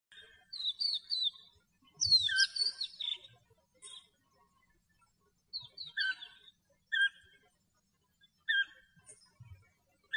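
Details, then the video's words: European bee-eater in the wild in Greece, giving a series of rolling, trilled, slightly rising calls in short bursts with pauses of a second or two between them; one burst is a busier, overlapping run of several notes. "ΜΕΛΙΣΣΟΦΑΓΟΣ ΚΕΛΑΗΔΗΜΑ - European bee-eater Song"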